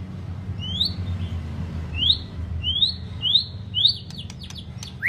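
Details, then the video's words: White-rumped shama used to stimulate and train song; clear rising whistled notes repeated about once a second, then sharp clicks and a falling whistle, against soft low hum. "chòe lửa hót giọng dài,kích lửa cho chòe lửa căng lửa"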